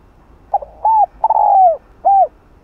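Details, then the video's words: Spotted dove cooing to stimulate other doves: a clipped opening note, an arched coo, a long falling drawn-out coo, then a closing arched coo, clear and close. "chim cu gáy hay kích bổi nhanh nổi, đủ bài gáy gọi + gù + thúc kích bổi . cu gáy thúc bổi"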